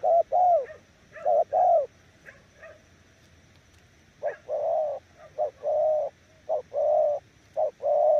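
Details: Spotted dove coos in short-long pairs. A few faint higher chirps from other birds come early, then a gap of about two seconds, and the cooing resumes in a run.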